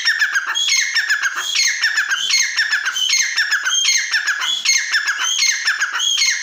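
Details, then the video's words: Partridge (teetar) calling in a loud, repeated series: phrases of harsh chattering notes mixed with rising, whistled notes, about one phrase every one and a half seconds, continuing without pause through the recording. "teetar voice | teetar ki awaz | teetar sound | dakniteetar ke awaz | teetar boli"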